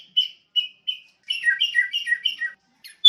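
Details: Sooty-headed bulbul song: three spaced whistled notes followed by a rapid cluster of bubbly falling chirps, then a brief pause and a final sharp note; no other sounds heard.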